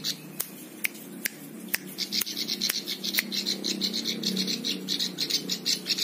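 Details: Plain prinia singing as a training model for other birds: sharp clicks at first, then a long, steady series of fast, high, buzzy chirps, over a low background hum.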